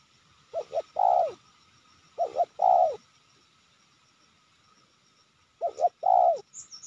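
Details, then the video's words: Spotted dove, a wild bird targeted for trapping in Sibolangit and known for nonstop full-voiced cooing, with two decoys nearby: three phrases of two quick short notes and a long rounded coo, spaced about two seconds apart. "Tekukur ini Menguku Tanpa Henti"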